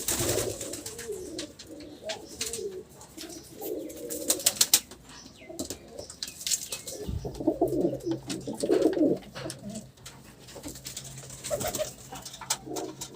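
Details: Pigeons giving low, throaty rolling coos in two bursts, one at the start and a louder one near the middle, over a steady low hum with scattered sharp clicks and taps.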